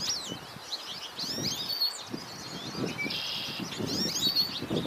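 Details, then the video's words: American goldfinch calling: high, quick twittering notes and a drawn-out wheezy buzz midway, over soft low thumps and light background rustle. "American Goldfinch calling"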